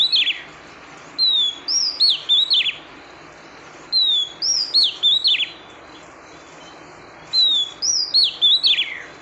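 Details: A female oriental magpie-robin calls to excite the male, giving three similar phrases about three seconds apart, each a drawn-out high whistle followed by several short, twisting, slurred notes, over a faint steady hiss.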